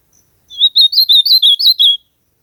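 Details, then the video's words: Singing ultramarine grosbeak in a natural setting gives a short burst of seven chirpy, undulating notes in quick succession, one compact warbled phrase, preceded by a tiny faint tick. "AZULAO CANTANDO MUITO NA NATUREZA ESQUENTAR SEU AZULAO COM ESSE CANTO"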